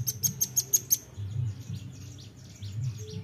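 A nuthatch gives six sharp, very high chipping notes in quick succession, then fainter thin notes trail off over a low background rumble.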